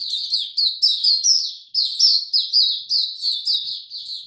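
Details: White-eye singing in warm, very humid weather, 26 March 2022: clear, loud run of high, slurred twittering notes in quick succession, one brief break midway, otherwise clean.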